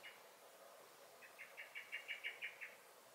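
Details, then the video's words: Garden blackbird in May sounding its alarm: a quick, accelerating series of about ten harsh, clipped chinks, loudest in the middle, over quiet background hiss. "Song and Alarm Calls of the Blackbird"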